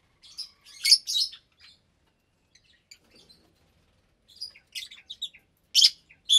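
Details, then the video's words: About 25 aviary lovebirds, parblue, euwing, opaline, lutino and albino, at meal time in January 2023; loud shrill screeches in bursts at the start and end, separated by a quiet gap with faint chirps. "Lovebird Meal Time"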